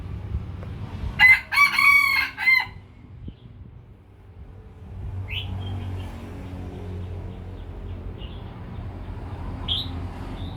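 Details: Lao chicken rooster crowing once, a loud, harmonically rich crow of several pulsing segments lasting about one and a half seconds, followed by low rumbling background noise and a few faint high chirps.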